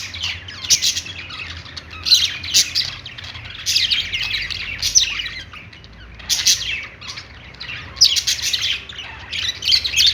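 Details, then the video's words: Budgies chirping happily: scratchy twittering and squawks in clustered bursts with quieter gaps, several birds at once, and a steady low background hum. "budgies birds noises | parakeet chirping sounds"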